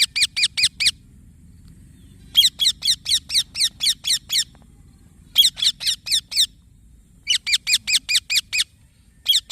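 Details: A young green parrot produces rhythmic runs of scratchy chirps, four to ten notes per run, repeated in several bursts with short pauses.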